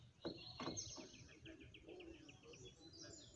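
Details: Red-cowled cardinal singing a song sequence: a rapid run of short, evenly spaced whistled notes, about six per second, follows two sharp low knocks at the start, over steady background hiss.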